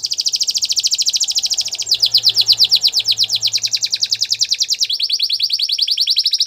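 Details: Song of a Gloster canary for training, a continuous rapid rolling trill of tightly repeated notes that shifts tempo and pitch slightly across several phrases, with faint low hum beneath.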